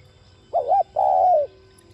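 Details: Spotted dove cooing, a call played to stimulate other doves to coo. One phrase: a short wavering double note, then a longer steady coo that slides down at the end. A faint low hum runs underneath.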